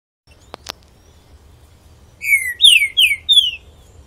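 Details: Pixarro singing strongly: after two brief sharp clicks and a pause, a phrase of four loud whistled notes, each sliding downward, in a short spaced series.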